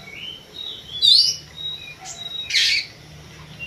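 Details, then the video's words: Oriental magpie-robin in a pacingan session, singing sharp whistled phrases: a rising thin whistle, then a harsh buzzy burst about two seconds later, over a faint low hum. "pacingan kacer bikin emosi"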